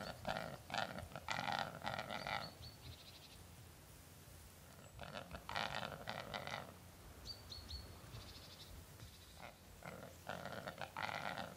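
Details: A displaying capercaillie × black grouse hybrid at Halleberg, Västergötland, Sweden, 27 December 2008, gives harsh, rasping, almost bleating bursts in clustered runs of several seconds, with thin, higher squeaky notes between, over a low background rumble.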